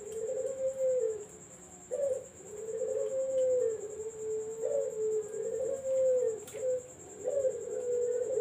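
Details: Barbary dove used as bait to attract zebra doves. Continuous low rolling coos, each phrase beginning with an abrupt rising note and drawn out about two seconds, repeated back to back. A constant thin high whine runs beneath and there is one sharp click.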